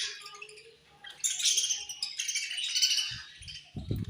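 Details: Pet budgerigars at feeding time, quiet at first, then a dense wash of high scratchy chirps and squeaks from about one second on, with a few low knocks and clatters near the end.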